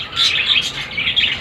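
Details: Home-bred rose-ringed parakeet chicks: soft, hoarse, wavering chirps in short overlapping bursts, some background hiss.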